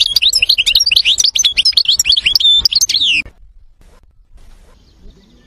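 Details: European goldfinch in an old recording of its varied song: about three seconds of fast, bright twittering with tinkling, buzzy and liquid notes, then silence.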